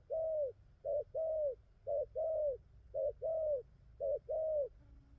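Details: Spotted dove, freshly caught from the wild, cooing well in a full song; four short-then-long coo pairs, each long note arching and fading, evenly spaced roughly every second, with low background rumble.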